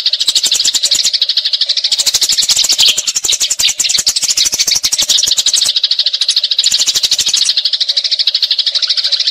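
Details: Eurasian tree sparrows fighting, a long rolling chatter used as tutor audio for training magpie robins; dense, rapid scratchy chirps run almost without pause, with two brief breaks, over a faint steady low hum.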